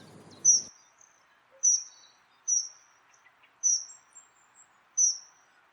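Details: A Dunnock (Prunella modularis), recorded in the wild, gives five thin, high piping notes, roughly one each second, after a brief low rumble at the start.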